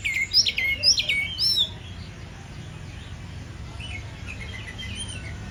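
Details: White-rumped shama (kacer) singing energetically, a burst of clear whistled and slurred notes rising and falling over the first two seconds, then only faint distant chirps against a low background hum.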